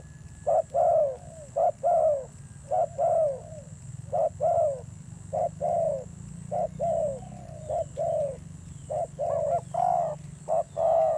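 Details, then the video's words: Spotted dove giving fierce-toned cooing: a long series of low, hollow coo notes, roughly one per second but irregular, over a steady background hum and a faint high hiss. "Thổ Gù âm dữ"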